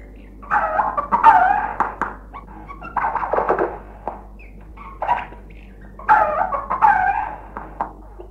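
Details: Eurasian jay mimicking a dog, a sound it heard and added to its repertoire: hoarse, yelping bark-like bursts in two main clusters several seconds apart, with brief creaky notes between.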